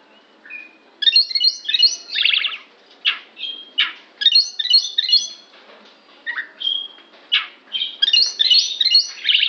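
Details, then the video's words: Oriental magpie-robin giving an unusual sound: harsh, rasping buzzy bursts mixed with short clear whistles and nasal chips, delivered in irregular clusters with brief pauses. "kacer bunyi aneh"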